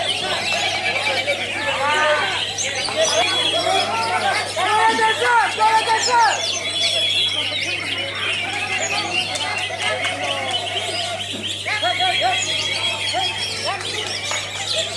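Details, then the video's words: A prize-winning competition greater green leafbird, which took first place twice and third once, pours out a fast, varied song of bright chirps, slurred whistles and rapid trills over a steady low hum. "CUCAK IJO"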